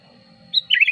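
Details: Sooty-headed bulbul lure song: a high, clear opening note, a short pause, then a rich, wavering, bubbly warble, with a steady high whine and a faint low hum.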